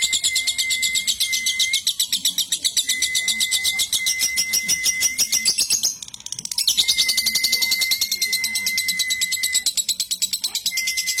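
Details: Cobalt lovebird, a contest fighter, giving a long continuous trill: rapid high buzzy notes run on for about six seconds, a brief break, then resume, with a steady thin whistle-like tone running alongside.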